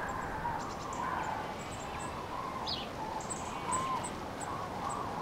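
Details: Common cranes on spring migration over central France, 5 March 2016, afternoon, many flocks scattered by bad weather; a few distant rolling trumpeting calls at about one, two and nearly four seconds over steady wind roar, with high thin chirps of small birds.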